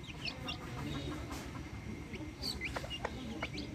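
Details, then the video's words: Backyard hens with their chicks: high, thin chick peeps scattered through the clip, some sharp rising chirps, over a low rumbling background and a steady faint tone. "Adorable backyard hens with chicks making adorable sounds!"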